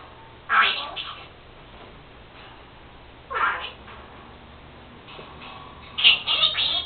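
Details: Pet female Senegal parrot, newly mimicking her owner's sneezing, gives two sharp noisy sneeze-like bursts, then a longer raspy, speech-like chatter, indoors with low background hum.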